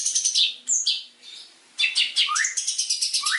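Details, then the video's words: Long-tailed shrike song used for training other birds: a varied run of high chirps and slurred whistles, a brief pause, then rising whistled sweeps mixed with rapid chatter. "PANCINGAN MASTERAN BURUNG CENDET"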